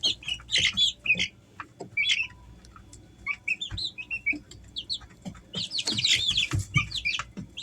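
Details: Easter Egger chicks, three weeks of age, give scattered short high peeps in the first half, then a loud, busy flurry of overlapping cheeps toward the end, with faint tapping noises.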